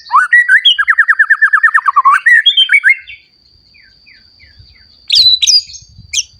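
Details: White-rumped shama singing to provoke other shamas. A loud, fast, repeated rattling trill of whistled notes lasts about three seconds, then soft sparse notes, then a burst of high sharp calls. Light low knocking is heard in the background.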